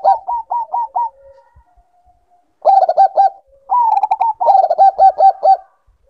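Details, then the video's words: Bangkok-type zebra dove in breeding condition. A series of evenly spaced single coos is followed by a pause, then two long bursts of rapid, rattling, pulsed cooing. "Naikan Birahi Perkutut Bangkok"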